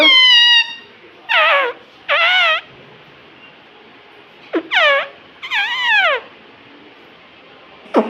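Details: Pet parrot talking, mimicking the words "mummy" and "papa": a series of loud, harmonic, wavering voice-like bursts about half a second long, some rising then falling, separated by quiet pauses, with faint music in the background.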